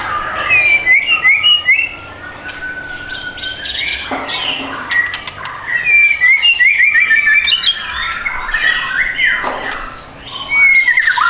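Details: White-rumped shama, a caged bird offered for sale, singing a lively run of clear whistled phrases and quick slurred notes, pausing briefly near two and ten seconds, with a faint busy background of other chirps.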